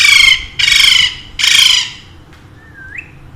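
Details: Three loud, harsh squawks in quick succession from pet Alexandrine parakeets, two birds said to talk in Urdu and Hindi, then a single soft whistled note sliding down and sharply up.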